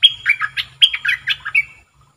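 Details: Decoy red-whiskered bulbul in a cage singing two quick phrases of sharp, sliding whistled notes, each starting with a high clear note and dropping into warbles, with a faint low hum beneath.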